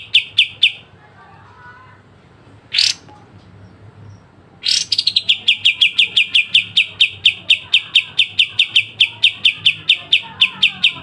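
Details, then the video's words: Pied triller (kapas tembak) song featuring sharp 'besetan' trills, used to train songbirds: a few high notes, a lone harsh burst, then a loud rasping start into a long, rapid, even train of bright chips lasting over six seconds. "Masteran full kapas tembak dengan besetan tajam"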